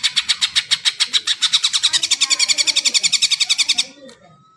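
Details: Greater green leafbird, kept as a songbird, singing a rapid, even trill of about thirty sharp notes at roughly four per second, fading out abruptly near the end with soft room sounds.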